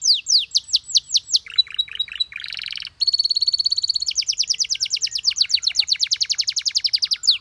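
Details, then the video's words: Canary song that tempts other canaries to chirp, made of falling chirps, a whistle with clipped notes, a buzzy roll, a high metallic rattle, then a long fast trill of short repeated notes. "The Singing Canary Tempts All The Canaries to Chirp"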